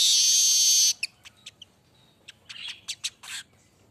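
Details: Streaked weaver, golden-headed manyar, in vigorous song: a long, loud, dense buzzy hiss lasting nearly a second, followed by scattered dry clicks and short ticking notes, then a brief rasping burst near the end.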